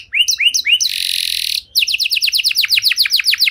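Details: Long-singing canary with special song phrasing, used to prompt stalled canaries to sing again: three upward-sweeping notes, a sustained buzzy tone, then a fast run of repeated downslurred chips.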